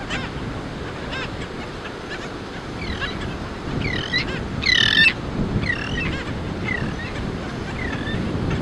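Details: Black skimmer chicks in their colony, giving short, curved, yapping notes, several overlapping and loudest near the middle, over a steady rumble of wind and surf.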